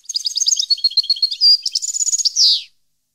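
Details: High, jingling European goldfinch song recorded in 2015: quick repeated twitters, a brief pure whistle, then a thin trill leading into a harsh buzzy note, all within about three seconds.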